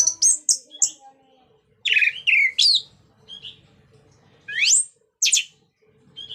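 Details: Orange-headed thrush singing in the ngeplong style, used as a lure to get other orange-headed thrushes singing: loud, varied high phrases with sharp notes and steep rising sweeps, separated by short pauses.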